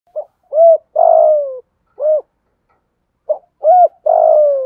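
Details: Decoy spotted dove cooing to lure and provoke wild doves: two phrases, each a short clipped note, an arched coo, then a long falling hoarse coo, with a separate arched coo trailing the first phrase; otherwise quiet.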